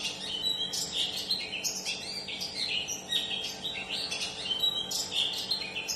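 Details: Long-tailed shrike song played to make a silent or stressed shrike reply; a busy, varied warble of chirps, trills and scratchy phrases running continuously over a faint mains hum.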